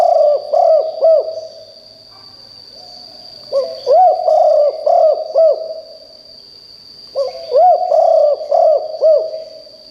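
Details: Decoy spotted dove calling loudly to draw answers from wild birds in the forest, giving three bursts of rapid, arched, hoarse coos separated by short gaps, with a constant high-pitched electronic whine throughout.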